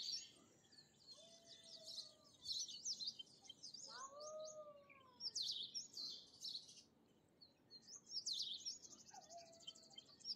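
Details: Bimaculated lark, also called eastern calandra lark: bursts of scratchy, buzzy high chirps come in clusters every couple of seconds. Softer, lower slurred whistles sound between them against faint background hiss.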